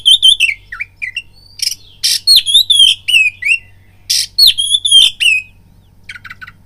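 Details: Caged oriental magpie-robin delivering a lure song to provoke fighting: energetic whistled phrases broken by harsh scratchy bursts, repeated upslurred whistles, ending with soft clipped chips.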